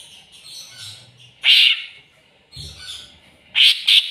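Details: Harsh, high, scratchy bursts from a greater green leafbird looking for an opponent. Softer, lower chatter fills the pauses between the loud phrases.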